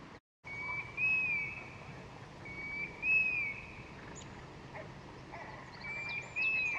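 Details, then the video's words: In the background, a European golden plover, a small wader, gives plaintive, slightly rising two-note whistles, each a short pure tone, repeated about every two to three seconds over soft hiss; recorded in the UK in 2021 among curlew recordings. "Yeah, the golden plover's in the background, 2 notes."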